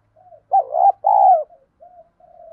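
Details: Spotted dove lure coo, 'thổ đồng' style, aimed at getting new birds to coo: a single phrase of a dipping looped note and a long broad coo, framed by soft quiet murmurs.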